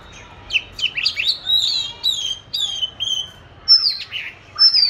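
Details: Oriental magpie-robin, caged and trained to sing, recorded 22 March 2021; a series of clear descending whistled notes spaced about half a second apart, ending with bright high upslurred whistles.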